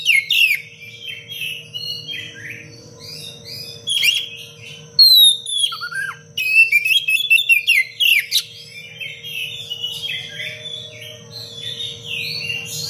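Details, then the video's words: Long run of dense, sharp cengkok rapat song from an Oriental magpie-robin that sings nonstop, used for training other birds: varied whistles, downward slurs, clicks and fast chattering bursts with brief pauses, over a steady low hum. "Kacer gacor cengkok rapat pedas untuk masteran"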